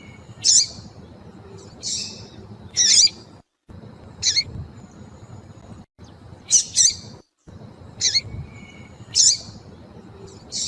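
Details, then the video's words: Yellow-bellied seedeater female call, meant to excite males into song: about nine thin, high chips, some in quick pairs, at uneven intervals, over steady low background hum and brief silent gaps. "MELHOR PIADO DE FÊMEA PARA DEIXAR SEU PAPA-CAPIM DOIDO PARA CANTAR LOGO!"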